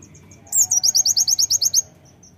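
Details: High, thin song of a fighter brown-throated sunbird, used to provoke birds to sing: soft lead-in notes, then a rapid run of about twelve bright, slurred chirps in just over a second, trailing off into faint ticks.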